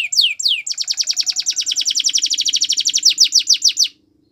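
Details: Canary song for training: two downslurred whistles, then a long fast trill of repeated sweeping notes at about three per second, ending in slower downward slurs; faint low hum beneath.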